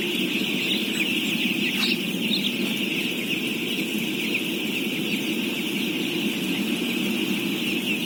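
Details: About 17,000 baby chicks peep at once, merging into a dense, unbroken, high-pitched shrill wash with a lower murmur beneath.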